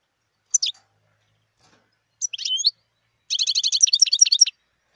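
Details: Wild European goldfinch giving a sharp chirp, then a twittering phrase with a rising liquid slur. It ends in a rapid, bright, rattling run of high notes lasting about a second.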